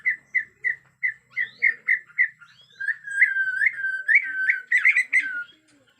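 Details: Agitated white-rumped shama from Borneo, natural forest sound: a steady string of short, evenly spaced whistled notes, followed by longer swooping whistles and a burst of mixed chattering notes.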